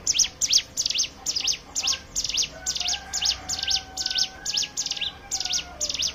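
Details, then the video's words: A hill prinia's lure song, ciblek gunung in ngebren style, to set other birds singing: clipped, high, descending notes repeated roughly twice a second in a tight chain, with a faint longer whistle from another bird in the background. "pancingan ciblek gunung bahan ombyokan"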